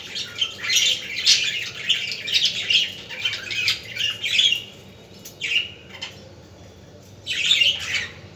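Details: Budgies chattering, for stimulating other budgies: a lively run of squeaky warbles for about five seconds, then near silence, one brief squawk, and another burst of chatter at the end.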